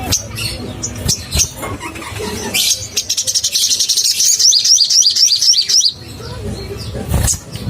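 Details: Crimson sunbird sound meant to rouse caged birds: after scattered clicks, a fast run of high, thin hooked notes repeated about four per second, then a brief noisy burst at the end.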